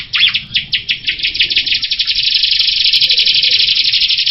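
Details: Jalak rio myna song opening with a quick run of sharp chirps. These speed up and merge into a continuous dense, scratchy chatter that keeps going to the end.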